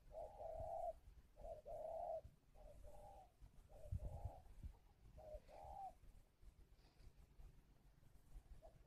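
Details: Repeated calling coos from a spotted dove at a Vietnamese bird farm in Ba Vì, Hanoi: short and long mellow hoots in rhythmic groups fading after six seconds, with low rumbling background noise.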